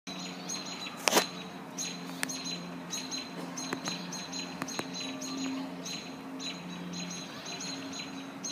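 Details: American robins defending their nest from a hawk that keeps swooping down at them: short, sharp, high chirps repeated several times a second in a steady series, over a low constant hum and occasional clicks.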